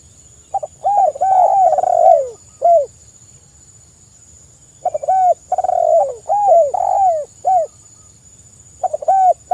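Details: Spotted dove (tekukur) calling in a lure recording meant to prompt replies. Three bouts of quick, arched coos each contain a drawn-out falling coo, with pauses of a few seconds between bouts. A constant high whine is heard behind them.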